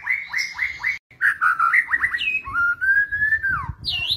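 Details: White-rumped shama, murai batu, singing a kretetan pancingan: a loud run of quick upslurred whistles repeated about four times, a brief gap, then varied rich whistled notes and a long rising then falling whistle.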